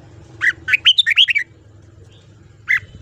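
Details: Red-whiskered bulbul morning song, ché style, for voice training of young birds: a fast bubbling string of about six warbled notes, then a lone note after a short gap, with a soft low hum underneath.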